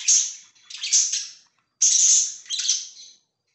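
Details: Pet budgerigars recorded 24 September 2024 give two loud bursts of high, raspy chattering chirps, each about a second long and separated by a short pause.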